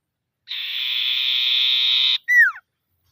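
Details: Common iora call used to provoke rivals: a sustained rattling buzz lasting well over a second, then a single strong whistled note curving downward, with silence around it.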